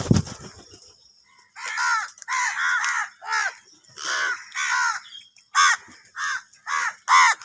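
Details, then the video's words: Angry crows fighting over food: after a brief low thump, a series of regular, hoarse caws follows, about one every half second, growing sharper toward the end. "Kaka sound and noises of Crow birds | Crow bird Fight for Food | Angry kauwa ki awaaz"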